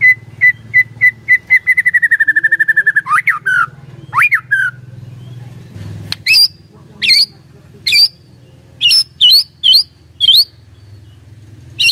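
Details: White-rumped shama song used as a lure to provoke a silent bird: spaced whistles, a rapid even trill, sweeping slurred notes, then sharp high whistles over a steady low hum.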